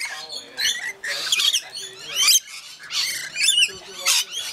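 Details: Rainbow lorikeets in a feeding frenzy, Mount Tamborine, Queensland: repeated harsh shrieks and squeaky chattering rise and fall in waves over a faint low background hum.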